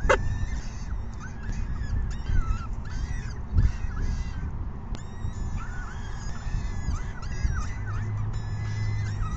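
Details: Peregrine falcon chicks begging at an evening feeding around 6 PM on 14 May 2021; overlapping wavering, downslurred wailing calls repeat throughout over a steady low rumble, with a few sharp clicks.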